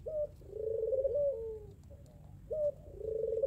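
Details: Puter pelung Barbary dove trading calls with a rival: low, throbbing coos that rise slightly and then fall, in two long phrases separated by brief clipped notes.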